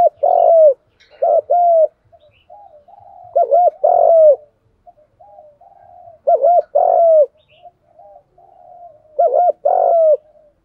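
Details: Spotted dove calling and urging, used for training decoy birds: loud, low, bubbling coos in grouped phrases roughly every three seconds, with softer murmuring coos between them.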